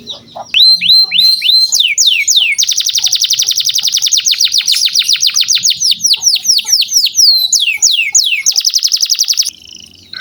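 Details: Canary singing strongly as a training lure for young canaries: short slurred notes, a long fast buzzy trill, more downward slurs, another trill, then an abrupt stop.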